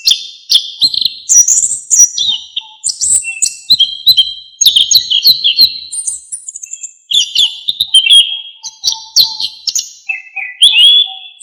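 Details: Orange-headed thrush singing a long, rich song, used as a tutor recording for songbirds: fast varied whistles, slurred notes and chattering phrases that step up and down in pitch with few pauses.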